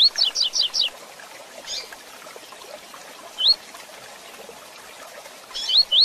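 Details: Rusty-collared seedeater singing the fast 'tui tui zel zel' song used for training and breeding: a quick run of four rising whistled slurs, then single and paired rising notes after pauses, with a steady background hiss.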